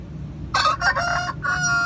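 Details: Aseel rooster giving a rough, broken crow in three or four harsh bursts, the last one held and steadier, over a low background rumble.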